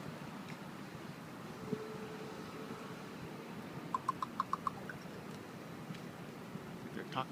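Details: Two ravens in a tree, first thought to be crows, calling to each other with weird, strange sounds; one gives a quick run of about six short, hollow, knocking notes in under a second over steady background hum and a person talking.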